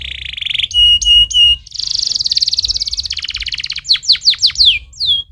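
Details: Canary's stimulating song begins with a buzzy tone and three ringing metallic notes, runs into a long fast rattling trill, and ends with several loud swooping down-slurred whistles.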